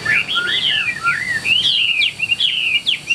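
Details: Ngũ trường–style song of a caged Chinese hwamei kept for fighting. A continuous run of loud, fluid whistles, gliding and bending in pitch with barely a pause between phrases.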